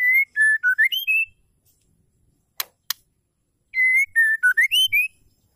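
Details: Female white-rumped shama call used as a lure to get males singing: a clear whistled phrase of about six short notes, steady, dipping lower, then climbing higher, repeated after a gap, with two sharp clicks between phrases.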